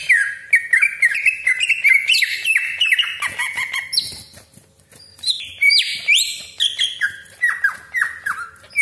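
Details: Cucak ijo, the Greater green leafbird, delivering full 'isian' fill song used to make other leafbirds sing: rapid chained whistles stepping up and down, a brief pause, then sharp rising and falling slurs.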